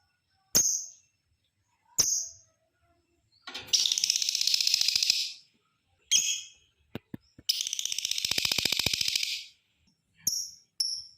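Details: Lovebird giving its long chattering call, used to provoke other lovebirds into singing. Two sustained rapid rattling bursts of about two seconds each are set among short sharp chirps and clicks.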